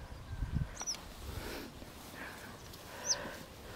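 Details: Western yellow wagtail giving two short, thin, high-pitched calls that slide downward, spaced about two seconds apart, over steady low rumbling background noise.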